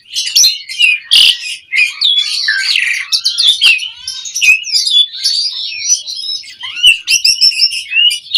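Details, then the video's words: Asian pied starling song played as a lure for other birds: a continuous, dense medley of whistles, buzzes, clicks and chatter with few pauses. "Pancingan Jalak Suren Mompa RingTone Bikin Suara Burung OCEHAN satu Rumah LANGSUNG Nyaut"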